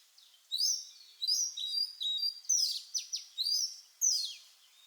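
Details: Oriental magpie-robin (Copsychus saularis) singing a rich, varied run of clear melodious whistled phrases, sweeping and rising, in quick bursts about every half second; faint background hiss.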